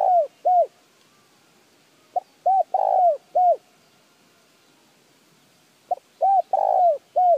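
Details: Repeated spotted dove phrases used to stir birds into calling: three bouts roughly every two to three seconds, each a clipped lead note then three soft coos with a longer falling middle note, faint background hiss.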